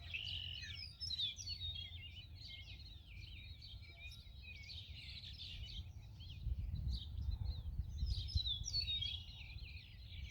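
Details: Several purple martins around a lakeside nest house keep up a steady stream of rich, gurgling chirps and croaks, overlapping, over a low rumble of wind or water; purple martin (Progne subis) song.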